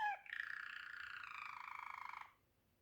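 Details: Waterslager canary giving a short, quiet, bubbling roll that lasts about two seconds. A faint low hum sits underneath.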